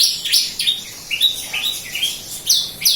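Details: Javan local bush lark from Kediri singing a quick sequence of high, slurred chirps and short whistles, each note gliding down, delivered several times a second.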